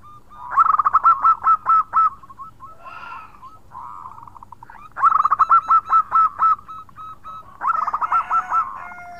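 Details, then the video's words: Singing local zebra dove from Indonesia, khong crewet style, calling companions; three loud phrases of rapid pulsed coos, each trailing into a softer rolling trill, spaced roughly four seconds apart. "Perkutut Lokal Gacor Suara Khong crewet panggil teman."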